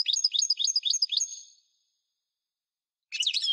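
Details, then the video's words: Goldfinch song in the parva style: a run of about six rapid paired high chirps over a second and a half, silence, then a burst of tangled twittering notes at the end. "Singing goldfinch - Chant chardonneret parva"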